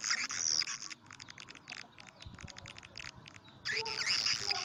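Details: Lure sound for swiftlet houses: a loud buzzy, chattering burst, then a stretch of rapid soft clicks, ending with another strong rasping chatter.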